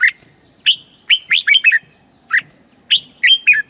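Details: Caged red-whiskered bulbul in Thailand, singing southern master-style song to rouse birds and teach chicks; two brisk phrases of clear, bouncy whistled notes, each opening with a single note followed by a quick run.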